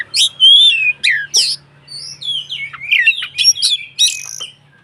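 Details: White-rumped shama singing to incite other shamas: loud clear whistles, steep downslurred notes and scratchy chatter delivered in quick varied phrases with short pauses.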